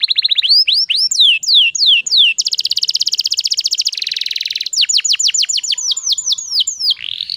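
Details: Female canary in breeding condition singing as a lure to stir male canaries into song. She gives clear, fast tours: rising sweeping whistles, then a rapid even trill, a buzzy roll and a series of sharp downslurred notes.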